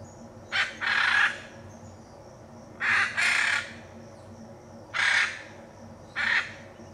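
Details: Hyacinth macaw recorded in Brazil's Pantanal giving rough, grating screeches, some split into double bursts, four calls spaced irregularly over seven seconds with steady low background noise between them.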